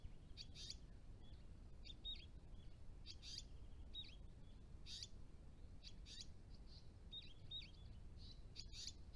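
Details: Flock of dusky woodswallows, adults with immatures, at a creek pond in New South Wales: quiet high chips and brief twittering notes, roughly every second or two, over constant low-pitched background hum.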